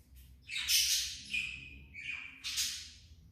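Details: Pet budgerigar giving harsh, noisy squawks: a loud burst followed by two more scratchy calls, each sliding slightly downward, with quiet room background between.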